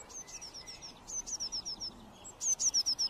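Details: Eurasian blue tit singing: very high, thin trills of short, evenly spaced, slightly falling notes, three bursts of about five to seven notes each, the last loudest, over faint background hiss.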